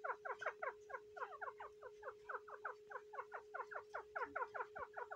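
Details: Male grey francolin (dakhni teetar) during the breeding season, giving rapid, evenly spaced downslurred chips in a fast continuous chatter, with a constant low hum underneath.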